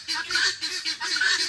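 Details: A female guinea fowl at a farm animal sanctuary beside a creek gives harsh, scratchy two-part cries, about three a second, while a male answers her in the distance.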